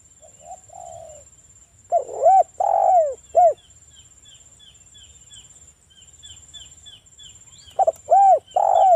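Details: Spotted dove song used as a lure to make other doves call: two phrases of deep, arched coos near the start and end, with faint high chirps from another bird between and a steady high electronic whine.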